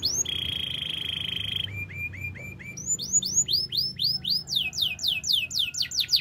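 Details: Canary in the wild singing a long, steady buzzing trill, then a string of low short notes, then quick repeated downward-sweeping whistles that grow faster toward the end.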